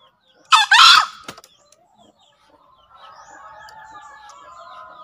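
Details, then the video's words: Green junglefowl, a tutor sound played to newly caught or reluctant birds to get them crowing: one short, hoarse, harsh two-part crow lasting about half a second, then faint distant bird chatter over a soft steady background. "Suara Masteran HARIAN Kelangenan Ayam Hutan Hijau Istimewa"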